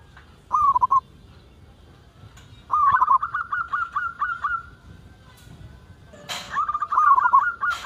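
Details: Zebra dove, a local bird singing steadily, played to prompt other doves to call: a short wavering trill, then a long run of soft, slightly rising coos about four per second, with a brief clatter near the end.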